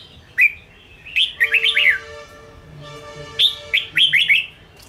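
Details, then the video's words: Caged red-whiskered bulbul, a wild-caught bird used to provoke and train others, singing short bright warbled phrases in bursts, with steady low tonal hum in background. "Chào mào Ché kích bổi căng lửa/kích chào mào sổ bọng/kích bổi ra âm"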